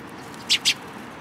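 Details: Two short, bright, high-pitched chirps from a sparrow at a Tenmangu shrine, recorded 14 April 2022, a split second apart against a low background hum.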